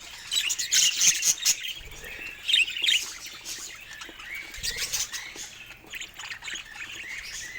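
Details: Budgies kept as pets, chirping happily: clusters of bright high chirps early on, then softer rising whistled warbles and scattered twitters, with light rustling or wing flutter.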